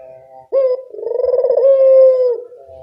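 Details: Barbary dove giving a single extended coo that starts abruptly, then rolls and trembles before settling into a steady held tone and fading, on a recording meant to stimulate silent doves.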